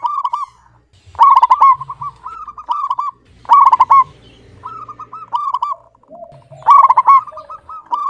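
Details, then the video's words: Local zebra dove singing actively in a clear voice: loud rolling, trilled coo phrases near one pitch, bursts every two to three seconds, separated by softer, quieter cooing runs. "Perkutut lokal GACOR suara jernih BAGUS MEMIKAT"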